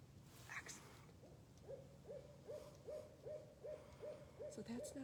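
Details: Wild barred owl hooting outside a Wisconsin nature center in the nesting and territory-claiming season: a steady series of about nine short hoots evenly spaced, ending in a lower dropping note, with faint background noise.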